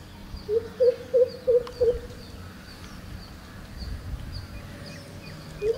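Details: A greater coucal at Bhamragad gives five deep, hollow, evenly spaced hoots, about three per second, then one more after a pause; faint high tones behind.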